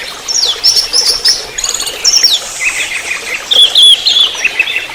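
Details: Orange-headed thrush singing in trotol style, used as a lure and master recording for training songbirds: bright, varied whistled phrases with sharp downslurs and short trills, delivered in quick, uneven bursts over faint hiss.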